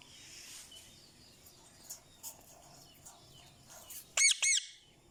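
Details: Energetic pet Indian ringneck parakeet, a talking parrot said to speak Urdu and Hindi; after a quiet stretch of faint chirps, two loud, harsh, harmonic rising-falling squawks come close together near the end.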